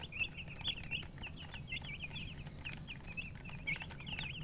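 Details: Baby chicken chicks chirping: a steady stream of short, high, rising peeps repeated several times a second, with a low background rumble.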